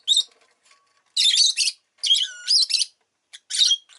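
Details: A pet rosy-faced lovebird calls in loud, grating bursts with a short high note first, then two long harsh phrases and a final sharp chirp.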